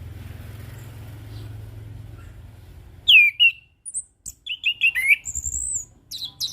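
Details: Orange-headed thrush (anis kembang, punglor) singing in relaxed ngeplong style: after a few seconds of low hum, a burst of quick whistled notes, downslurs and high thin chirps in rapid succession.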